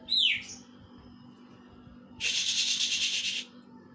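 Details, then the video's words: Greater green leafbird singing material imitating a kingfisher: a brief rising whistled note, a pause, then a harsh, buzzy, rapid rattle of about one second. The background is quiet. "Cicak ijo materi cekakak udang"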